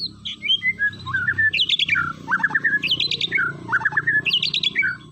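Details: White-rumped shama song played to stir up a shama that sings too little: a fast, varied phrase of trilled, rattling bursts alternating with sweeping whistles, over a low rumbling background hum.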